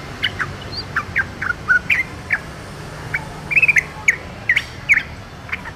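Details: In the wild, a yellow-vented bulbul that sings only reluctantly joins in with chattering: scattered short, clear chirping notes, single and in small clusters, spaced about half a second apart, with a steady low hum beneath.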